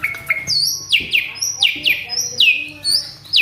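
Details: Agitated captive male Asian pied starling in full mimicry song: a run of loud, clear whistled notes, each sweeping sharply downward, repeated about every half second with short chattering bits between.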